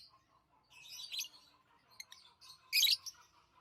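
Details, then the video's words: Tame lovebirds chirping: scattered thin, high twittering notes, a buzzy cluster after a second and a louder, shrill burst near the end, over a quiet background. "lovebirds chirping sounds"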